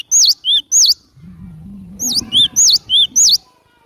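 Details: Loud high cinereous tit song meant for luring birds: clear V-shaped whistled notes, three at the start, then five more quickly repeated, with a low faint hum between the bursts.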